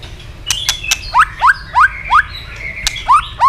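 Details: White-rumped shama flicking its tail while giving a fast, intense fighting song: short rising whistled notes repeated about every third of a second, mixed with sharp clicks and a thin high steady tone.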